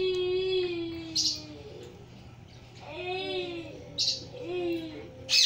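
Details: A male grey Indian ringneck parakeet, recorded up close while eating a walnut, gives drawn-out, slightly falling nasal notes broken by three sharp, harsh screeches over about five seconds.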